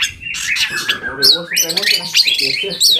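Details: Brief burst of long-tailed shrike song used to goad other shrikes into responding: scratchy, high, overlapping chatter with buzzy rising slurs and sharp chirps, nearly continuous throughout.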